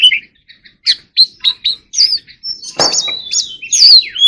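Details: Oriental magpie-robin, fighting 'hót líu' song: spaced clear chirps building into drawn-out rising and falling whistles, broken midway by a brief rustling noise burst.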